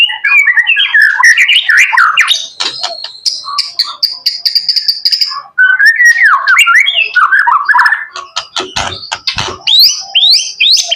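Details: Pet young male white-rumped shama in full song: rich rising and falling whistles, a long steady high trill, then more warbled phrases mixed with harsh chattering notes and clicks.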